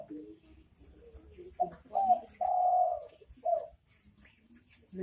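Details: Spotted dove (derkuku) in 'bekur bekur' style: quieter introductory coos lead into a clipped double note, a long sustained low coo and a closing short note.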